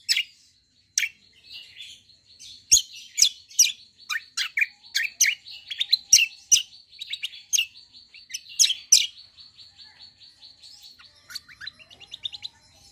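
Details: Greater green leafbird, a kecial kombo song type with long rolling phrases: rapid high sharp chirps and trills in dense bursts, with a steady thin high whistle running underneath, a few clicks, and quieter twittering at the end.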